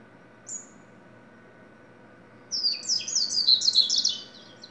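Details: One high whistled note from a double-collared seedeater, then after two seconds a rapid, jumbled phrase of bright, sweeping high notes, over a faint continuous hum.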